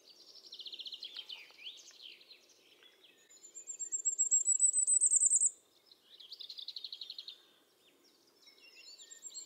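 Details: Common firecrest singing in the Eifel near Dohr, Germany, recorded with a Sony RX10 IV: a very high, thin series of rapid notes rising steadily in pitch before stopping abruptly, with another bird's lower buzzy trills before and after.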